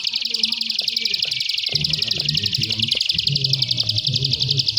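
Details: Bar-winged prinia, called prenjak sawah, giving a continuous high buzzy trill of fast repeated notes throughout, with low rumbling background noise and faint voices.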